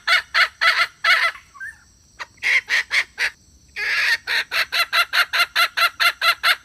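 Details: Wild junglefowl hen luring males: four harsh clucks, a quiet spell with one faint note, three more clucks, a longer rasping burst, then a rapid run of about fourteen grating pulses.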